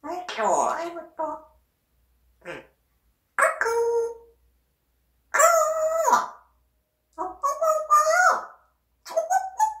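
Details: Pet parrot vocalising in a series of uneven speech-like phrases, some with sharp upward swoops and held nasal tones, a rapid irregular run of calls with brief gaps.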